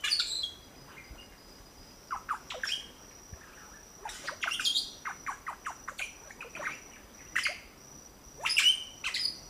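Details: Three red-bellied grackle chicks at a nest in La Romera reserve, Sabaneta, Antioquia, Colombia, being fed in 2012; scattered short high chirps and squeaks come in small groups over a faint constant high-pitched whine.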